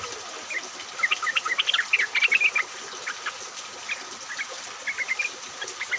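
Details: Several yellow-vented bulbuls calling together in rain, used as a lure to get other bulbuls singing: bursts of short bubbly chirping notes, loudest in a dense run midway, then scattered phrases over steady rain hiss.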